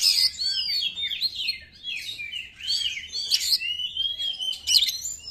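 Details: Oriental magpie-robin singing its fiery 'konslet' lure song to excite listless birds: dense, continuous medley of varied whistles, chirps and slurred notes with occasional rasping bursts.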